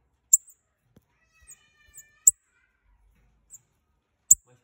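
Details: Pair of Bananaquits calling to get other birds excited: three piercing thin chips spread over a few seconds, separated by soft faint ticks and quiet.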